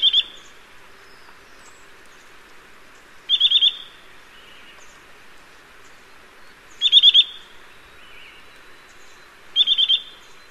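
A Eurasian nuthatch gives short bursts of four or five quick, high, piping notes, repeated every three seconds or so over a soft background hiss.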